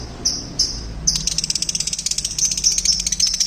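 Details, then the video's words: Pet lovebirds in a small aviary: a couple of short shrill notes, then a fast, pulsing, high-pitched chatter that goes on steadily to the end. "Loud & Noisy Birds in my mini aviary"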